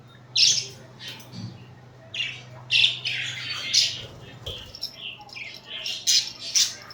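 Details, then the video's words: Pet budgerigars, cuddling and fighting, utter a series of sharp bright chirps and harsh squawks at irregular intervals over a steady low hum. "#Budgie cuddling #Budgie fighting, #Budgie chripping"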